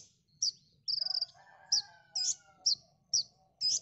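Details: Konin song for training songbirds: sharp high notes roughly twice per second, a brief rattled trill, and buzzy chips, while a softer lower whistling sound runs faintly underneath.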